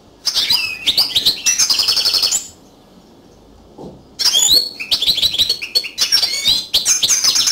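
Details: A yellow canary (Crithagra flaviventris) sings fast, high-pitched phrases of chirps, buzzy rolls and twittering trills, in bursts separated by a brief pause.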